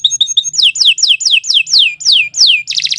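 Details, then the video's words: Canary song for teaching other birds: quick paired high notes, then a regular series of loud down-slurred whistles about three per second, ending in a brief buzzy burst. "Kicau Burung Kenari II GACOR PANJANG Cocok untuk Masteran"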